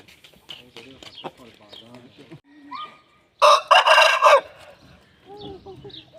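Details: Aseel rooster crowing and singing for a hen: soft harmonic clucks and a short wavering note, then a loud harsh burst lasting about a second, followed by quieter clucking.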